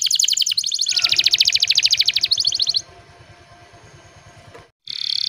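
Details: Gacor canary song meant to coax quiet canaries to sing: loud rapid high rattling trills for nearly three seconds, followed by low rumbling background noise and a brief trill at the close.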